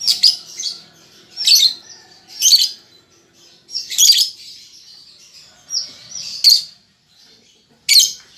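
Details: Juvenile lovebird learning ngetik and ngekek chatter utters a series of loud, harsh chattering bursts, about seven in total, separated by quieter high buzzing phrases.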